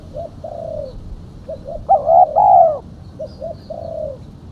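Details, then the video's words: Luring call of a female spotted dove: faint two-note coo and long falling coo, then a louder, fuller pair of coos in the middle, and the softer phrase again at the end. "Suara burung tekukur betina /pikat tekukur betina"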